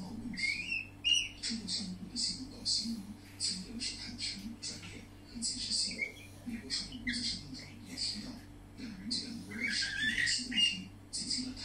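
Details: Pet budgerigar at song inside a room, long rambling chatter of clicks, buzzes and rising whistles, pausing briefly then resuming, with a steady low hum throughout.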